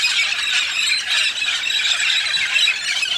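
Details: Red-spectacled parrots massed in a large migratory flock in the Santa Catarina mountains, southern Brazil, feeding on pinhão; an unbroken wall of shrill, overlapping squealing calls filling the air.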